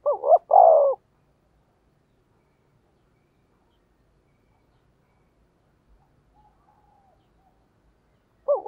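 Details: Decoy spotted dove calling to attract wild doves: one loud wavering coo phrase at the start, then a long silence with a faint soft coo, and another phrase beginning at the very end.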